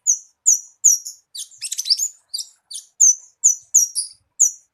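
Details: Song of a Javan bushlark, played to encourage a kept bird to sing: crisp, high downslurred chirps at steady intervals, interrupted early by a dense, rattling flurry of mixed notes.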